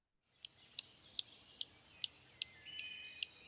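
Dark-eyed Junco alarm: eight sharp, high ticking notes, one roughly every 0.4 seconds, with a faint thin whistle behind the later notes.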